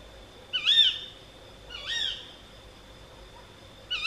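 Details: A female tawny owl calling at night near Gythio in the Peloponnese, Greece, gives sharp, harsh, slightly nasal calls, three in four seconds, over a faint steady high whine.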